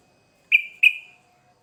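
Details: Sooty-headed bulbul singing hard as a lure: a pair of sharp, ringing whistled notes a third of a second apart, the second drawn out into a long fading tail.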